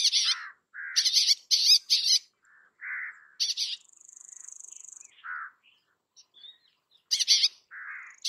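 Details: Bay-backed shrike song with rapid harsh rasping bursts, softer low warbled phrases, and a steady high thin trilling note held for about a second; varied mimic-like medley, quiet background.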